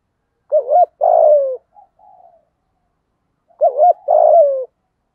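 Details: Decoy spotted dove with a 'thổ' voice, used to provoke rival doves: two low cooing phrases about three seconds apart, each a quick double coo then a drawn-out falling coo, with faint soft notes between in otherwise quiet surroundings.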